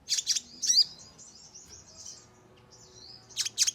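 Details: Sogon lure recording to spur birds into rapid singing: a few sharp high chips and a quick downward flick, a quiet stretch of faint twittering, then a cluster of loud chips at the end.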